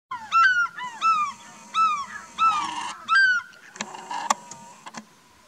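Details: African fish eagle giving loud, ringing yelps, each note sharply down-slurred with bright overtones, five bursts in about three and a half seconds, followed by fainter clattering and knocking sounds.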